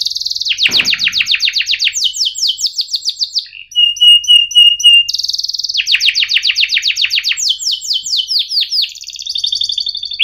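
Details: Canary song used as a lure for young canaries learning to sing: loud fast buzzy trills broken by a short click, a pause of high whistled notes, then renewed rapid rolls and sweeping chirps.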